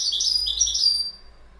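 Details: A brief, high, bubbling twitter from a goldfinch, a quick jumble of chirpy notes lasting about a second and then stopping.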